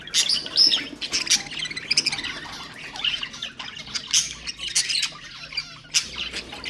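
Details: Budgerigar voices for stimulating other birds: sharp, raspy squawks and high chirps spilling out in uneven clusters, one bright tweet after another.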